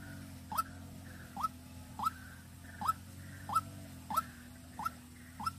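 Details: White-breasted waterhen used as a lure bird in Vĩnh Long, Vietnam: eight clipped rising notes repeated evenly about every seven tenths of a second, low mechanical hum beneath.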